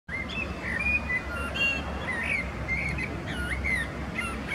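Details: Male common blackbird singing in Zurich canton, Switzerland, on 21 February 2017, a bird that sings most in dim morning and evening light: low mellow fluted phrases weaving between short squeaky high notes, with a steady low rumble beneath.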